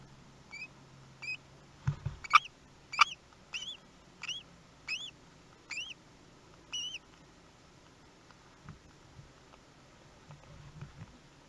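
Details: Common kestrel family at the nest in Théding on 24 May 2020, as the fourth chick hatches; thin, upslurred chirping notes with a faint higher overtone, repeated roughly every 0.6 seconds, with a few sharp knocks near the start and a low background hum.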